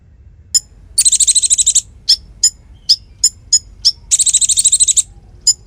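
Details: Konin singing actively, a tutor song for other songbirds: high, rapid rattling trills alternating with short sharp chips, two dense buzzy bursts separated by single clipped notes.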